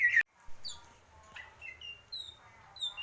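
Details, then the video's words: Greater green leafbird singing: a sharp opening note, then scattered clear whistled notes, some sliding down and some held steady at varying pitches, with quiet gaps between them. "cucak ijo"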